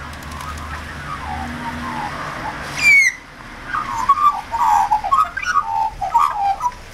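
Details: Australian magpie, one of a wet visiting pair, calling in the rain to its mate and for food; muffled background noise, one sharp downward whistle, then a string of gurgling, warbled chortle notes.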